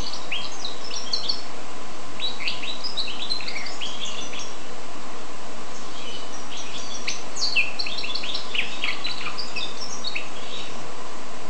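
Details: A goldfinch x canary hybrid sings two long, dense passages of fast, tinkling twitters and buzzy trills separated by a brief lull, with a steady low hum underneath.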